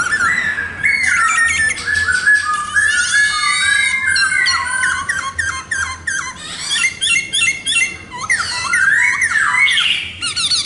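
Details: Top-class singing by a khướu mun laughingthrush, a sustained medley of whistled slides, stuttering trills and grating buzzy phrases that runs almost without pause.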